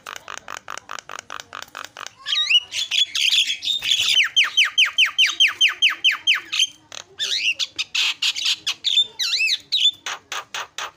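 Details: Starling lure song meant to make reluctant birds sing: fast, steady train of short clicking notes, then a run of bright down-slurred whistles and scratchy chatter.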